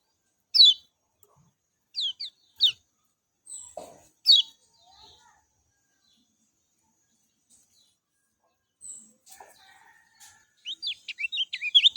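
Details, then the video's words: Lemon-bellied white-eye calling with short, sharp, downward-slurred high notes in scattered ones and twos. After a quiet gap it breaks into a quick, rising burst of high twittering. "JOS GESIT SUARA JERNIH ALAMI BIKIN KECIAL KUNING CEPAT RESPON"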